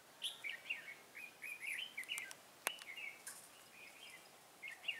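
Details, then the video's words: Red-whiskered bulbul used as a decoy bird in trapping, recorded 23 August 2018: bright warbled phrases of slurred whistles between roughly mid and high pitch, repeated in short bursts, with a few sharp clicks and knocks. "Bẫy chào mào Mồi Cao phong ra trận bắt bổi"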